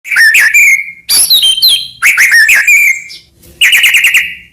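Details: White-rumped shama, murai batu, in full varied song used as a master recording to provoke other shamas: loud whistled phrases near two kilohertz, rapid high trills and a final fast repeated chipping series, with short pauses between bursts.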